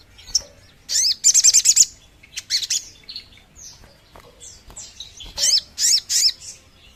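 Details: Calls of the sogon bird, used to draw birds in: bursts of sharp, high-pitched chirps in quick runs of four to six notes, separated by short pauses and softer thin whistles.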